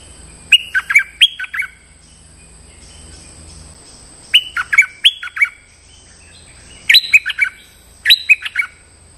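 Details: Stripe-throated bulbul calling to a territorial resident bird, lure recording: four repeated, bubbly phrases of rapid warbled notes, rising then falling, the last three coming every couple of seconds, with a steady high whine behind.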